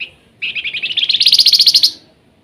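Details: Flamboyan singing energetically with nyiul phrasing: a single trill of quick, pulsed notes that speeds up and rises steadily in pitch over about one and a half seconds.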